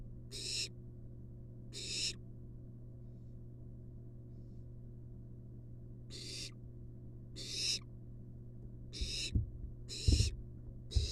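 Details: A long-tailed rat is brought by the mother to a wild barn owl nestling in a monitored nest box. Harsh hissing bursts come in pairs separated by a long pause, then a quicker run, with scuffling thumps and a low hum at the end.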